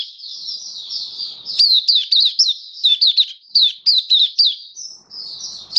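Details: High, sweet twittering from a caged Oriental white-eye, a quick stream of slurred chirps and trills in clusters, briefly easing into a softer warble before resuming.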